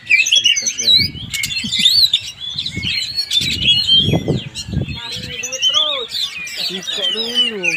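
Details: Oriental magpie-robin (kacer) at a practice session in Palembang, Indonesia, pouring out a loud, rich song of rapid whistles, trills and sliding notes, with human voices murmuring underneath.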